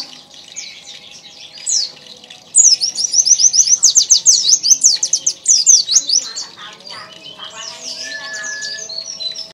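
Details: White-eye (pleci dakun) in full persistent song: after scattered chirps, a dense burst of very high, rapid, slurred notes runs for several seconds, then fades to softer twitters.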